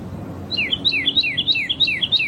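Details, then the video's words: Red-crested cardinal singing in nature: a quick run of sharp whistled notes, each dropping steeply from high to lower pitch, repeated rhythmically about every quarter second over faint low background hum. "CARDEAL VERMELHO ,CANTANDO NA NATUREZA"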